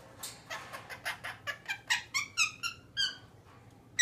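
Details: A pet male galah (rose-breasted cockatoo) rolls onto his back and plays with a wooden toy block, giving a quick run of short, squeaky, grunting notes, about four per second, rising and clearer toward the end, over faint hum.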